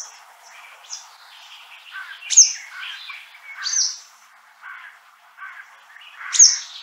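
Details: A yellow wagtail in Central Russia gives three thin, high, sharp call notes a few seconds apart, over a busy background of softer chirping from other birds.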